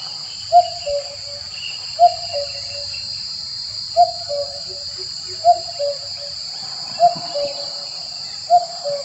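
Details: Excited male common cuckoo (Cuculus canorus) calling to mate with a female gives a mellow, falling two-note cu-coo about every one and a half seconds, over a steady high drone of insects.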